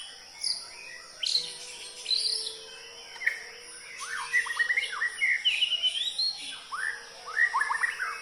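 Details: White-rumped shama song: scattered high whistled notes, then a rich, rapid sequence of sliding and trilled phrases, with a constant shrill insect drone behind.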